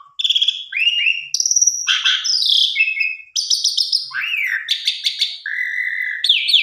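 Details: Lure song of an Asian pied starling, meant to make birds sing out their repertoire. It has varied whistled phrases, a harsh rasping burst near the start, upward-swooping notes and a long steady whistle.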